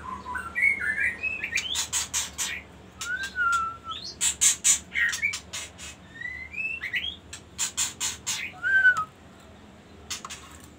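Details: Magpie-robin song made of rich rising and falling whistles and slurred phrases, broken up by bursts of loud rapid clicking in between.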